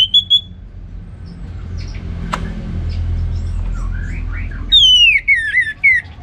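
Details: Ngeplong gacor song of an orange-headed thrush: an opening whistle, then a late series of clear descending whistled slurs repeated in quick succession.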